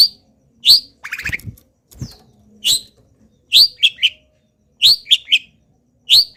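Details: Long-tailed shrike in moult, still singing actively, its song filled with imitations of wild birds: sharp high chirps in uneven bursts, with a harsh buzzy stuttering phrase and a brief descending note between them.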